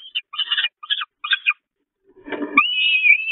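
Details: Peregrine falcon chicks at the Catharinakerk nest, 5 May 2021, hungry and attacking the adult female. Several clipped, chattering high notes, a brief scuffle, then a sustained rising whining wail.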